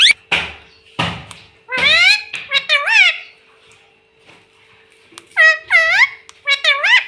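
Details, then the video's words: Talking pet parrot, said to say "mummy" and "papa", delivers a string of quick, wavy, speech-like harmonic phrases in several groups. Sharp clicks open the sequence, with a low hum underneath. "Parrot sound mummy 🥰 mummy mitthu ko roti do🤩parrot natural sound 😆 मम्मी पापा बोलता तोता"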